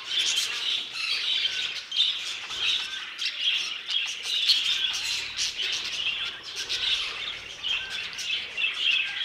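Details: Budgerigars chatter inside an aviary, many birds giving rapid high chirps and warbles in waves, punctuated by crisp clicking notes.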